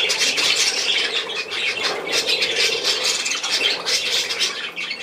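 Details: Short burst of budgerigar flock noise from 10 June 2024: dense high chattering and scratchy squawks from many birds overlapping, continuous for the whole stretch.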